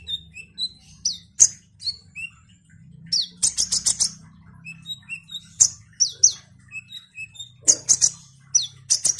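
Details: Eager olive-backed sunbird song used to stir up other birds: thin high whistles alternate with clusters of harsh buzzy trills and sharp chips, repeated several times, with a faint hum in the background.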